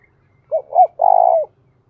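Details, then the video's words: Close, clear coo of a decoy spotted dove used to attract wild doves: two short hoots, the second swelling, then a steady, finely pulsed coo that trails off downward. "chim cu mồi gáy hay dùng kích bổi rất hiệu quả"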